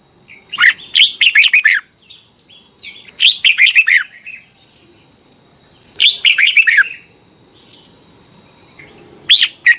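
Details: Song of a red-whiskered bulbul, a Thai cage bird, looped for thirty minutes each morning to teach young birds: three clear phrases of four or five fast, ringing whistled notes, then a single short note, over a steady high hum.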